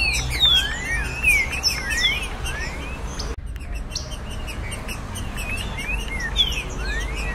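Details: Green-winged saltator (trinca-ferro) song in the tournament 'virada caratinga' style, used to stimulate a captive bird: loud slurred whistles that rise and fall, over a dense background of high chirps from other birds.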